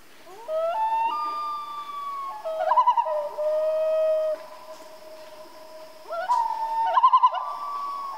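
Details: Night-time common loon giving drawn-out, slightly wavering wails that step up and down in pitch, broken by short quavering bursts, then a fresh rising wail near the end.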